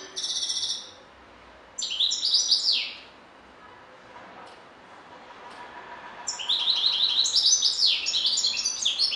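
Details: European goldfinch singing: bursts of bright, tinkling high twitters and buzzy, rapidly varied notes, a short phrase at the start, another near two seconds, then a longer rambling run after a quiet pause.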